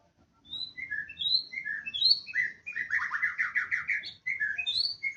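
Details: Wild adult male white-rumped shama singing: varied clear whistled phrases jumping between pitches, broken by a rapid buzzy rattling trill, then more bright slurred whistles.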